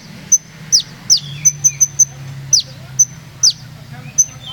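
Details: Olive-backed sunbird of the Purworejo type in a rhythmic 'ngeroll nembak' song: a quick run of thin high ticks between steeply falling piercing whistles, spaced irregularly, with a soft background hum.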